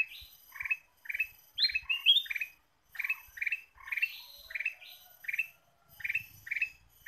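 Ruby-throated bulbul song: bright, bubbly chirped phrases, each a quick cluster of notes, repeated about twice a second with brief pauses between bursts.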